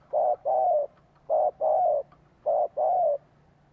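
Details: Spotted dove giving a decoy lure call meant to draw wild doves in and set captive birds cooing along: three low, mellow coo phrases, each a short note then a longer wavering one, about a second apart.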